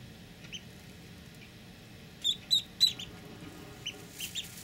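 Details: Snowy call ducklings, one day old and hatched the night before, give short, high peeps, a quick run of three in the middle and a few fainter ones around it, over a low steady hiss.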